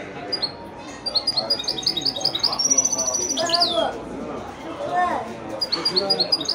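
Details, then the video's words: Goldfinch × canary mule, offspring of a male goldfinch and a female canary, sings wedani-style high chirping phrases and a thin sustained trill, mixed with a man talking nearby. "هجين ويداني روعة"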